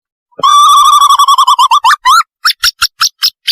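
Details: Owl lure call for catching owls: a long, bright, wavering trill that climbs in pitch, breaks into a short rising flourish, then turns into quick, chattering notes. Nothing else is heard.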